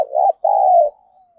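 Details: Lure-calling decoy spotted dove, 'thổ thúc' voice style: two low, smooth, throaty coos, the second longer, trailing off into a faint thin whistle-like tail.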